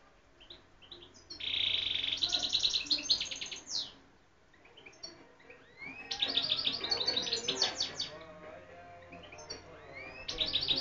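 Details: European goldfinch with a very beautiful voice, singing a clear, high song: a long buzzy note leads into fast liquid trills, and after a short pause comes a second rapid twittering burst.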